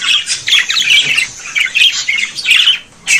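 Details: Non-stop budgerigar chatter of harsh, raspy notes mixed with brief whistled pips, rising and falling in loudness, dipping quiet just before the end.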